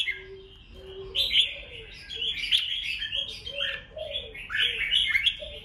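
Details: Red-whiskered bulbul competition song meant to stir rival birds: loud bubbling whistled phrases in several bursts, with soft low cooing notes repeating beneath.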